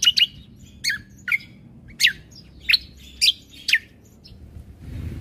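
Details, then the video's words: Greater green leafbird (cucak kombo) in masteran material with tembakan fill, end of 2022. Separate bright downward-sweeping whistles and chips, roughly one each half second, trailing into a quiet rumble. "Masteran Burung Full Isian Tembakan - Cucak Kombo Gacor Untuk Masteran Burung"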